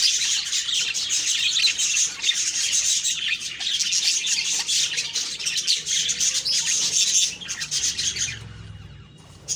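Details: Budgerigars chirping on a morning of October 2, 2023: dense, continuous high twittering and warbled chatter from several birds, fading out abruptly in the final second.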